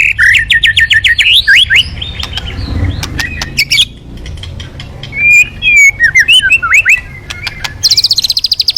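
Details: Energetic white-rumped shama song meant to coax other birds into singing: fast repeated chips, varied rising and falling whistles, sharp clicks and a closing burst of high rapid notes.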